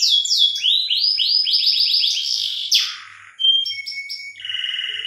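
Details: Mating song of a canary for stimulating breeding: a sliding whistle, a quickening series of upslurred notes, a down-sweeping buzz and a low buzzy rattle.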